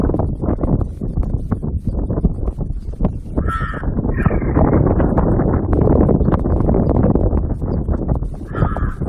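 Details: A crow making what is described as a funny noise: a few short, harsh, nasal caws come at about three and a half, four and eight and a half seconds, over loud, constant, rumbling wind-like noise throughout.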